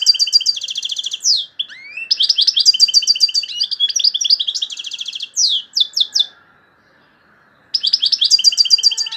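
A European goldfinch sings fast, bright, tinkling phrases of twittering notes and quick trills in rushing bursts, broken by one short silence.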